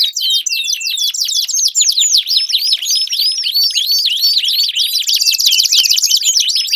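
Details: Canary song used as a prompt for a canary that has stopped singing: lively rapid warbling of sweeping whistles and chirps, ending in a dense high buzzing trill.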